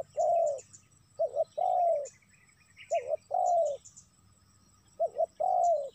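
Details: Spotted dove lure call for drawing in wild doves: about four rounds of a clipped double coo and a long falling coo, with faint bird chirps high above.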